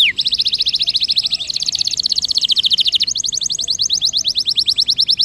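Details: Canary roll for prompting silent canaries to sing: steady rapid trills of high repeated notes, one phrase changing to a slightly lower, slower trill near the middle.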